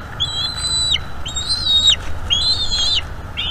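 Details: Young Bald eagle calling during a feeding at a nest in northeast Florida, worried its sibling will take its squirrel; high squealing whistles held briefly and dropping at the end, repeated roughly once a second.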